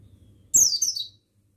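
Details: Single male mountain white-eye phrase from a buxtoni training track: a half-second, very high, thin twitter sweeping downward in a few wavering steps, opening with a click over a faint low hum.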